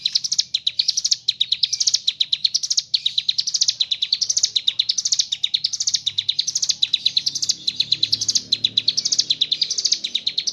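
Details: Ciblek gunung, the mountain leaf warbler, singing gacor ngebren style, filled with kapas tembak imitations: about ten seconds of fast, high, sharp notes rising in regular swells roughly every second, with no pauses.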